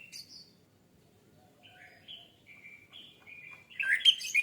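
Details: Orange-headed thrush song used to lure others into singing. Soft scattered whistles build into a string of mid-pitched fluty notes, then a loud, harsh, tumbling burst at the end.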